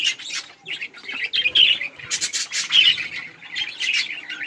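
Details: Several budgerigars chirping while eating and playing: a continuous overlapping chatter of scratchy warbles and squawky chirps, with no pauses.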